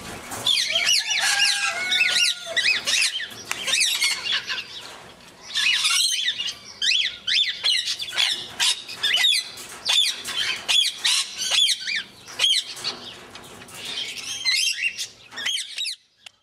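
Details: Two tame sun conures giving loud, harsh, high-pitched screeches in rapid repeated bursts.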